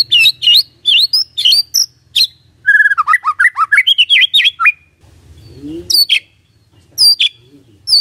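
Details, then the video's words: White-rumped shama lure song to get a silent bird calling back: high sharp whistles, a fast varied whistled phrase, then more scattered high notes with a low hum. "PANCINGAN SANTAI & EFEKTIF❗❗ murai DIAM langsung respon NYAUT❗❗"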